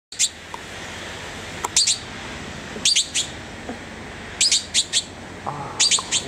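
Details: Red-billed blue magpie recorded on 19 November 2009, giving short, sharp, harsh notes in quick pairs and triplets every second or so over a steady background hiss.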